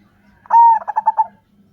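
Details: A single phrase from a local zebra dove, used to coax other doves to call. One drawn-out coo followed by four or five fast, bouncing notes, over a faint low hum.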